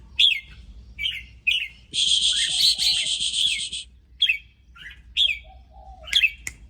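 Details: Red-whiskered bulbul in excited song: short liquid whistled notes separated by pauses, interrupted by a long harsh buzzing burst, over a low hum.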